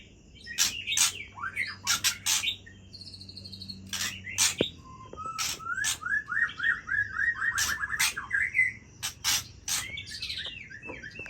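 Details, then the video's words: White-rumped shama in midnight song: sharp clicks and whistled phrases, then a fast rippling series of rising notes, ending in more varied whistles and ticks over a faint low hum. "Murai Aceh Bergaya Tengah Malam"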